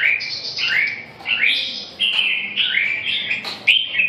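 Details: Red-whiskered bulbul singing: a run of loud, clear whistled phrases, rising and falling slurs with some sharp notes, given in short bursts about a second apart, with a faint low background hum.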